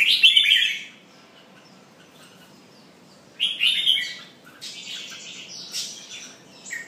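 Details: A singing, pumping red-whiskered bulbul gives a loud, liquid warbled phrase, falls silent for about two and a half seconds, then delivers another rich burst followed by softer high chatter.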